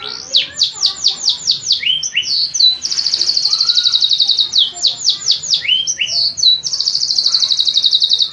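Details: Canary alternating bursts of descending sweeping notes with long, rapid, even buzzing trills, the pattern repeating twice in a lively continuous song.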